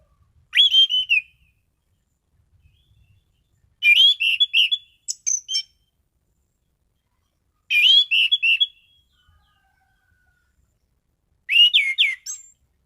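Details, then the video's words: Orange-headed thrush singing steadily with loud, varied phrases. Four brief rich whistled phrases arrive about every four seconds, each a quick run of rising and falling notes with sharp upward slurs, silence between. "Burung Anis Cendana Gacor mapan.!!!"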